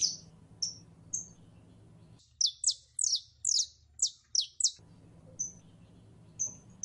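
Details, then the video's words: A female canary in heat calls to attract a male for mating. A few thin, high, whistled notes lead into a fast run of steep, sliding chirps, then sparse whistles return. A low background hum is present. "15 MINUTOS DE HEMBRA EN CELO LLAMANDO A MACHO CANARIO PARA APAREARSE"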